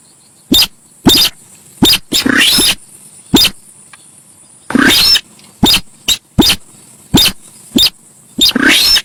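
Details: Javan pied starling (sintar sawah), a very noisy lure recording: loud harsh rasping bursts at irregular intervals, some with rising sweeps, separated by short sharp clicks, over a steady high hiss.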